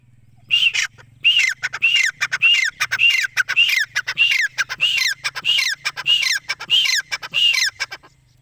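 A francolin calls in a harsh, grating, high-pitched phrase, repeated quickly and steadily about every two-thirds of a second.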